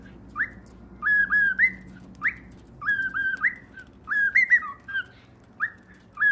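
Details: Cockatiel whistling a repeated melodic motif: short upward-sweeping whistles followed by paired level notes, the pattern returning several times with brief pauses.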